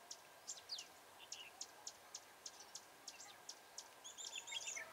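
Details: Red-whiskered bulbul used as a decoy during trapping, singing a fighting song to lure wild birds. Sharp high chirps and short whistled notes repeat several times a second, ending in a denser twittering burst, over faint steady background hiss.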